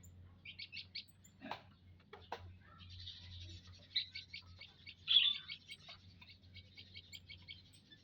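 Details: A group of munias in an aviary on 19 April 2025 gives quick rows of high clicking chirps, repeated in rapid series for several seconds, with a few sharp calls and a low hum.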